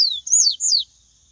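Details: Song of a wild Yellow-bellied Seedeater of the Bahian song type. Sweeping high whistles rise and then fall steeply, in three quick slurred notes under one second. The surroundings are quiet.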